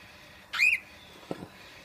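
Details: A cockatiel gives one short, loud whistled call that arches up and then falls, with bright harmonics, followed by a faint low knock in a quiet room.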